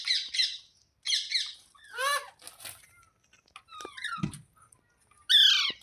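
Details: Green parrot in a room giving buzzy, stuttered squeaks in short clusters, then harsher falling squawks and a loud screech near the end.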